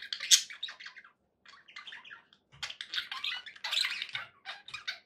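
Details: Happy pet budgerigars chattering: bursts of scratchy chirps and squeaky notes separated by short pauses, with faint low thumps in the background.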